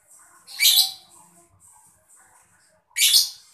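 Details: Mocha lovebird chirping, used to stimulate other birds to sing: two loud, harsh, shrill screeches about two and a half seconds apart, with faint high twittering between them.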